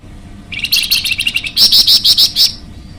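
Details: Flamboyan bird recorded as a master song for training or luring birds, giving a fast, high twittering series that shifts midway into louder, sharper chirps repeated about three times a second, then stops.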